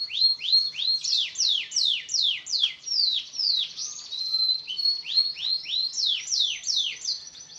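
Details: Canary singing as a prompt for birds that have stopped singing: a continuous stream of rapid downward-sweeping notes, about three per second, broken by a short steady whistle midway.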